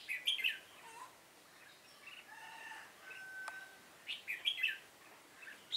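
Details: Fighting song of a caged decoy Red-whiskered bulbul during a trapping session on 7 September 2018: quick clipped warbles, a quieter steady whistled stretch with a click, then renewed rapid warbled notes.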